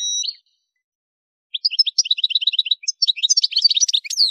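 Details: Algerian goldfinch song, Souk Ahras region, Kef El Hammam, used to tutor caged birds: a short whistled note, a pause, then rapid bouncing repeated chirps building into a varied, liquid twitter ending in a sweeping high note.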